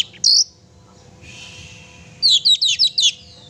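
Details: Oriental magpie-robin in active song, for stirring a pet bird to sing: one sharp high note, a quiet hissy stretch, then five rapid, loud chirped notes in a tight run.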